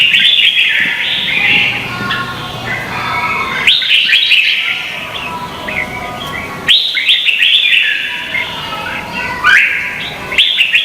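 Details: Contest singing by red-whiskered bulbuls from Vietnam, kept as lure song for training birds. Loud, liquid warbled phrases with sharp upward-sweeping notes come in three bursts, separated by quieter stretches of softer chatter.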